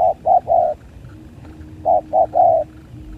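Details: During a 2023 spotted dove fight, two loud triplets of low hollow coos, two brief notes then a longer one, come about two seconds apart, separated by near silence with faint hum.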